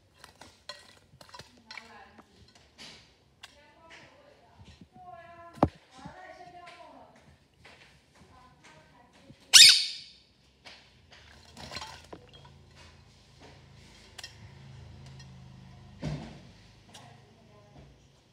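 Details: A pet Quaker (monk) parakeet bathing gives harsh, squeaky chattering calls with one sudden loud burst partway through.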